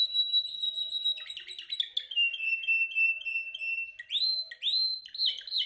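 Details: Singing canary practising its song during training, delivering a long held high whistle, then a rapid chattering roll and a series of sweeping upslurred notes, loud and energetic, over a faint constant hum.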